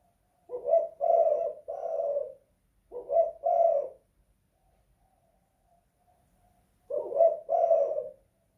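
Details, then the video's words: Spotted dove inside a house calling three cooing phrases, each of short stuttered notes and a longer coo, with a silent gap midway. "Tekukur kuk 2 / guk 1 in the house"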